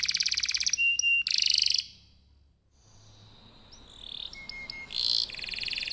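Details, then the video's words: Canary in full, vigorous song ('gacor'), offered as a lure to prompt other birds to sing: fast, buzzy high trills in bursts, a brief silent gap, then thin, steady whistled notes mixed with further rolling trills. "Kenari gacor, Apapun jenis jenis anda pasti akan terpancing bunyi dengan pancingan kenari ini"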